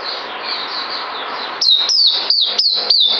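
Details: Captive bird, 9 December 2018, starts with soft, smeared chirping, then breaks into five loud, clean whistles that each slide down in pitch in the last second and a half.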